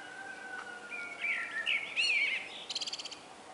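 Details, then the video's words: Common blackbird singing in the morning: a mellow, fluting warbled phrase that rises and falls, ending in a squeaky, rapidly pulsed twitter, with a faint steady hum and outdoor background noise. "ΤΟ ΤΡΑΓΟΥΔΙ ΤΟΥ ΚΟΤΣΥΦΑ"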